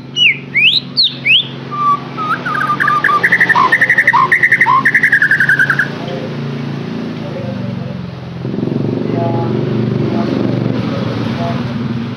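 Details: White-rumped shama lure song for a captive bird: a few high sweeping whistles, then a quick bright chattering trill with lower notes mixed in, followed by background hum and noise.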